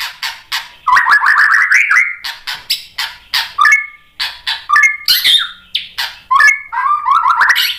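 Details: White-rumped shama song meant to stir other shamas into answering: a loud, varied stream of rich whistles, quick rising trills and sharp chattering notes, delivered in rapid bursts with barely any pause.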